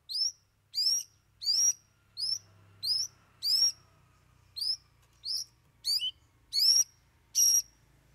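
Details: A long-tailed shrike (cendet) singing its three isian, mimicked fillers, in a loud run of eleven harsh, rasping high notes, each sliding upward, repeated roughly every two thirds of a second.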